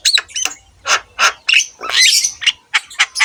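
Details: Javan myna song for training other caged mynas: a few loud grating squawks interleaved with sharp whistled notes and a longer raspy chatter in the middle.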